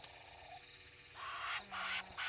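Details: Egyptian geese mating at Gowrie dam waterhole, Djuma Game Reserve, Sabi Sand Wildtuin, South Africa, at 03:05 on 11 November 2021: three harsh, rasping bursts in quick succession, each roughly half a second long, over a low steady background hum.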